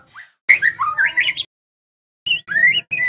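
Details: White-rumped shama lure song, played to help young moulting shamas quickly learn loud open singing and full repertoire: a faint rising note, then a second of varied whistled phrases climbing and falling, a pause, and more sweeping whistles, with a low hum beneath.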